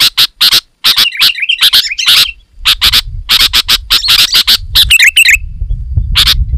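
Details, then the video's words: Sooty-headed bulbul in lively, dense and loud song, used as a lure for wild bulbuls in forest: rapid bursts of harsh chattering notes mixed with short bubbly whistled phrases, with low background rumble in the second half. "Suara Burung KUTILANG GACOR Suara Asli Rapat dan Lantang"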